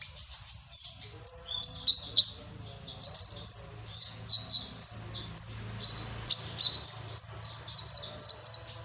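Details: Indonesian hobbyist's sunbird singing a cricket-filled song: continuous high, sharp chirps and twittering notes in quick bursts, about two per second, over a faint low hum.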